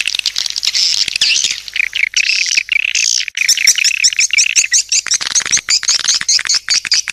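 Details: Swiftlet calling sound used to lure birds: busy high chattering that shifts into rapid, evenly spaced sharp chirps in its second half, delivered in quick bursts with ticking clicks between them.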